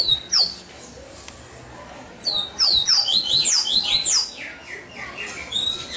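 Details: Captive double-collared seedeater singing a fast burst of high, sharp whistled notes that slur downward in quick, tight succession for about two seconds, with a shorter opening phrase and faint background noise.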